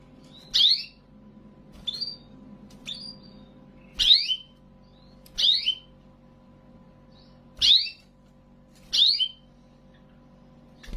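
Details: Canary in song training from Indonesia: short high chirped notes, each a quick sharp rising then falling phrase, repeated about every one to one and a half seconds, with a faint low hum beneath.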